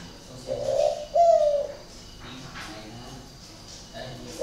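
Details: Spotted dove, one of two kept birds from a bird garden in Ba Vi, Hanoi, northern Vietnam, described as having an unusual voice: two low hooting coo notes, the second longer and gently falling, then quiet indoor background.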